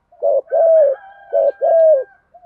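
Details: A spotted dove coos in the 'thổ' style, a 'thúc gù' call meant to stimulate and train newly caught doves. Two clear pairs sound, each a short, full note and then a longer, smooth, slightly falling coo, with a faint thin tone behind.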